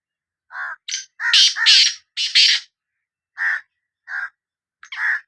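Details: Grating call of a black francolin from Sindh: a dense cluster of loud rasping notes, then three spaced hoarse notes about half a second to a second apart.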